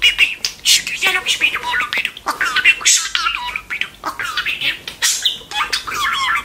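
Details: Pet talking budgerigar: a loud, nonstop, high-pitched chatter of raspy, speech-like syllables and warbled notes that flow into each other without real pauses, recorded close up indoors.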